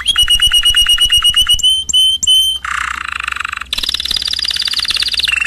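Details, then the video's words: Canary song opening with a loud steady series of ringing notes, then sharp clicks, a low buzzy rolling trill and a bright high fast trill, all loud and close. "Chant Canari CD 2016- اسطوانة تغريد كناري جاهزكاملة"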